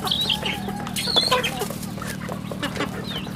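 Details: Farm chicks kept at home peep in high, wavering notes, with a burst of wing flapping and rustling and a low steady hum throughout.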